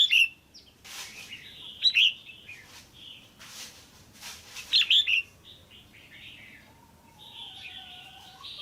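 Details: Female red-whiskered bulbul kept in a cage, calling to stimulate a male or to pair: short chirps, then a loud cluster of notes, then thin drawn-out whistles and some rustling.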